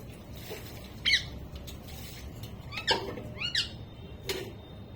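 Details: Talking pet parrot vocalising: a few short, squawky, harmonic utterances spaced about a second apart, rising and falling in pitch, against a constant background hiss.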